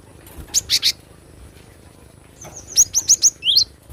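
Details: Wild Cinereous tit (glatik batu) used as a tutor recording: three sharp high notes, a pause, then a fast series of five ringing upslurred chirps ending in a lower downslurred twist.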